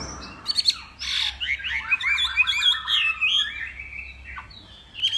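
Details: Hwamei from Northwest Vietnam in a morning song contest: a fast, jumbled stream of whistled and chattering notes, broken by a few harsh, scratchy bursts.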